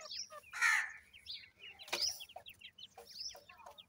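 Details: Grey francolin chicks, male and female, from a breeding stock, give high, quick, sliding peeps. Two louder, harsher bursts stand out among the chirping.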